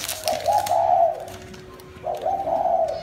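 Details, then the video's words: Captive spotted dove kept as a decoy bird, being handed to a new owner in Thái Nguyên, Vietnam. It gives two mellow, mid-pitched cooing phrases about two seconds apart over a quiet room background. "Chim cu ta khiển khách"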